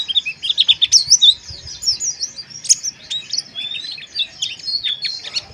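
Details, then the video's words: Harsh ngeriwik chirping of white-eyes, used as therapy to stir breeding arousal: bright high twitters and quick slurred notes in loud bursts, thinning slightly toward the end. "Suara Pleci Ngeriwik Kasar"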